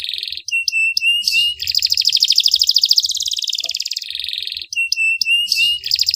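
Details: Canary song for masteran training, cengkok style: short steady whistled notes and rattling bursts, then a long rapid buzzy trill, returning to clipped whistles and rattles.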